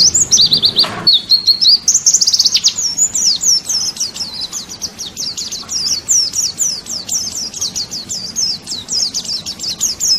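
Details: Pleci, a white-eye from Kalimantan, singing as training audio for songbirds; opens with a few whistled notes, then a long rapid stream of high, thin downslurred chirps at a brisk steady pace, with a faint thump early on.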